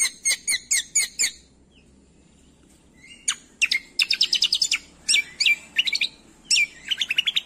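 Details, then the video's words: Training recording of greater green leafbird song for coaching songbirds: five sharp repeated chirps, a pause, then dense bursts of bright whistled notes, rapid trills and downward-sliding whistles. "MASTERAN CUCAK KOMBO - PANCINGAN MALAS BUNYI SEKALI DENGAR LANGSUNG NYAUT"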